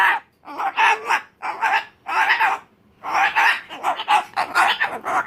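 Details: Umbrella cockatoo throwing a tantrum: harsh, raspy screams in short bursts of about half a second, delivered in rapid clusters with brief silent gaps between them.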